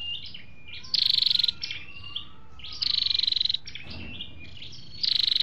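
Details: Flowerpeckers, male and female, on a recording for luring wild birds: repeated short high trills of quick even pulses, linked by thin whistles and sharp chip notes.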